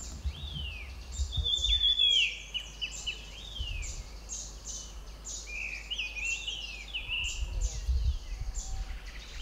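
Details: Grey-winged blackbird, a Himalayan thrush, singing territorial calls down a high-altitude valley: clear, melodious whistled phrases sliding down and up, some rich and warbled, over a steady pulsing high buzz and low background rumble.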